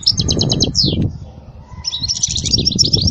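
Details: European goldfinch song for teaching young goldfinches: a pulsed buzzy trill and a down-slurred note, a pause, then a rapid high twittering run, over noticeable low background rumble.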